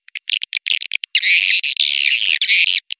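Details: Swiftlet lure call for attracting swiftlets: short sharp chirps, then a dense, continuous high twittering chatter for over a second before the chirps return.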